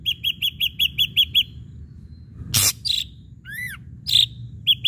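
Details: Ashy drongo song played as a lure to get other birds singing: a quick run of repeated sharp chirps, then a pause, a harsh burst, and varied whistled notes, including a falling slurred whistle, over faint low hum.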